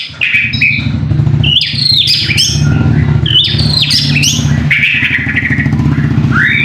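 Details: Song of a white-rumped shama played to make another bird sing: loud swooping whistles and harsh rasping phrases over a steady low hum.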